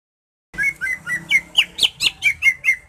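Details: Greater green leafbird song played to stir another bird into breeding mood before a song contest: after a brief silence, about nine clear whistled notes, each slurring and dipping, repeated roughly every quarter second, some sharper and higher in the middle.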